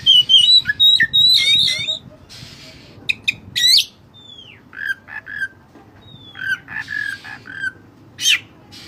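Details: White-breasted kacer, or Oriental magpie-robin, in lively song with cililin fill-in phrases, used as a tutor recording: sharp high notes and chatter, then downslurred whistles and short scratchy phrases at an irregular, fast pace.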